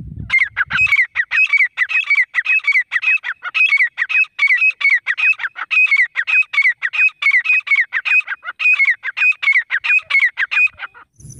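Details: Wild grey francolin, known locally as teetar, calling: a loud, fast run of shrill, ringing notes, each sharply rising then falling. The notes repeat steadily for about ten seconds, with a brief low thump at the start and end.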